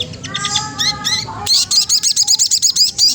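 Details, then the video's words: Magpie-robin teasing a rival to spur singing: a few clear whistled notes, then a rapid, evenly spaced series of about fifteen sharp, bright repeated notes. "Suara bunyi sogon trotol menggoda lawan ampuh banget untuk rangsangan bunyi"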